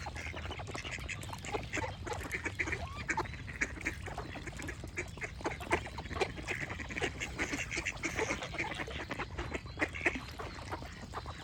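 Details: A flock of ducks calling nonstop, many brief rasping quacks overlapping into a continuous clamor, with small birds chirping faintly among them over a low background hum.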